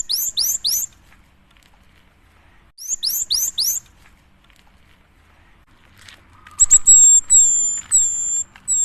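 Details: Lure song of a lively cinereous tit meant to provoke other birds: two bursts of three or four rapid, very high downward-swept notes, followed by a series of drawn-out, even, shrill whistles.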